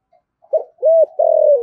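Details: Short burst from a decoy spotted dove singing 'giọng thổ' style: a quick low note, a rounded arched coo, then a long sustained coo sliding down at the finish.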